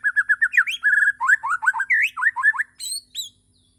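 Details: Morning song of a Bornean white-rumped shama: rapid run of repeated mid-pitched whistled notes, then a varied jumble of slurred, warbling notes, ending with two high sharp whistles.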